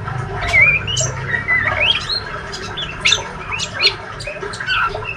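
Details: Young healthy male white-rumped shama, a fledgling described as active and given to chirping (ngriwik), kept as a cage bird: short rising and slurred whistled chirps and squeaky notes, scattered irregularly, with a low background hum.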